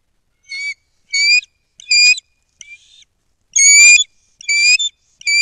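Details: Bald eagles calling at a nest over 100 feet up in a loblolly pine near Kincaid Lake, Kisatchie National Forest, Louisiana, on 12-19: loud, clear, high-pitched whistled squeals in short separate bursts, roughly one every half second to second.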